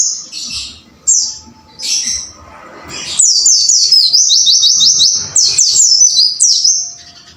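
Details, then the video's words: White-eye kept in a cage for training, a few short high chirps, then a fast run of sharp downslurred notes repeated about three per second, with faint background noise. "MASTERAN BURUNG PLECI AGAR GACOR WUCIT WUCIT"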